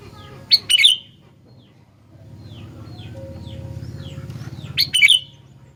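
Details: Sooty-headed bulbul singing: two short bursts of bright, warbled chirps separated by a low, steady rumbling background hum.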